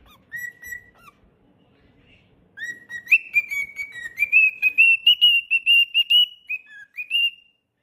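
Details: Cockatiel kept as a pet, singing: one held whistle, a quiet gap, then a quick run of bright whistled notes climbing in pitch and ending with short falling and rising slurs.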